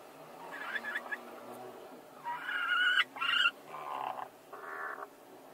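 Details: Two hens fight over the same laying spot at the same time: scattered short clucks, then a run of loud, harsh, rasping squawks and screechy cries, with a low hum behind.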